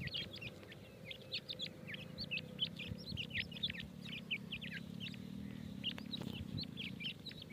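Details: Grey francolin chicks at feeding time giving many short, high, rising and falling peeping notes in quick succession, with a steady low hum underneath.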